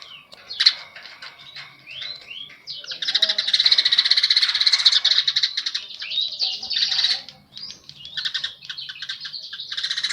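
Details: Baya weaver singing strongly with house sparrow song mixed in: opening sharp chirps and short rising whistles, then a long, loud, sizzling buzzy trill of about four seconds, followed by quicker chirping notes.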